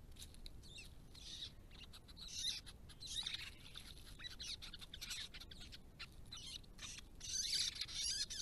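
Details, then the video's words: Restless White-browed babblers calling at a protected pond site: scratchy, harsh chattering phrases come in irregular bursts across the recording, the loudest near the end. "White-browed Babbler - restless, noisy and querulous"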